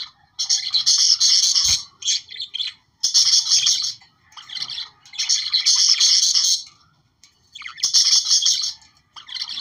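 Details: Australian budgerigars singing to stimulate breeding: bursts of rapid chattering, squeaky warble lasting one to two seconds, separated by short pauses, busy and high-pitched throughout.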